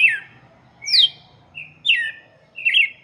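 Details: Close red-cowled cardinal singing for chicks: loud whistled phrases, several slurred steeply down and one short flat note, about four in three seconds.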